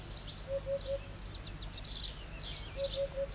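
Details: Hoopoe perched on a roof tile, singing insistently: two sets of three soft, low, evenly spaced hooting notes, with many small birds twittering higher in the background.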